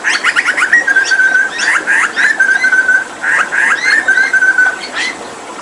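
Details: Papuan hooded butcherbird singing energetically while given a water bath: long level whistled notes broken up by clusters of quick, sharp chirps and downward sweeps.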